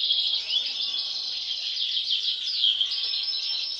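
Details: European goldfinches, siblings with two showing an abnormal mask from birth, deliver a loud, dense run of fluid twittering and slurred downward notes without pause.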